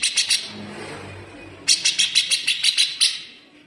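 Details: Cucak jenggot (grey-cheeked bulbul) giving its dense, harsh besetan, kept as a training model for cage birds: a short burst of three notes, a pause, then eight evenly spaced, sharp, raspy notes fading out.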